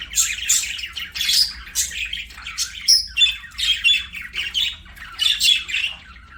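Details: Playing budgerigars give loud warbling song, a run of scratchy high chirps, squeaks and brief whistled notes in uneven pulses, with a faint low hum underneath.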